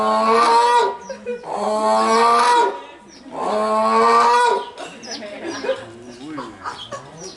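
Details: Zoo-kept grey crowned crane, aged 20, at Yukyuzan Small Zoo on 19 March 2023: three long, loud, buzzy honks roughly 1.5 seconds apiece, then quieter low warbling and faint background chatter.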